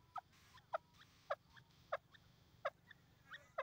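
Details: Grey francolin, called Irani teetar locally, giving loud, sharp, clipped notes repeated about every 0.6 seconds in a steady series. Fainter answering notes sit between them against a quiet background.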